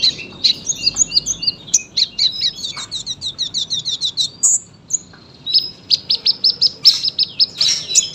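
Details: Sunbird singing fast, tightly packed song: rapid descending high trills, a short pause, then a steady series of bright repeated chirps to the end.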